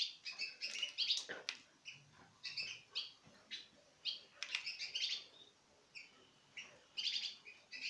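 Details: Citril finch pairs from 2016 eating from a person's hand. Short, bright chirps come in quick clusters with sharp clicking sounds between them, with brief pauses.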